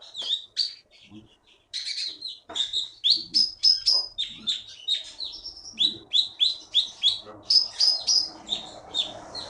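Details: Prize-winning wild-caught bird from the Bangka forest sings a long lively sequence of sharp high notes, repeated about three times a second, interspersed with whistles, with faint background noise.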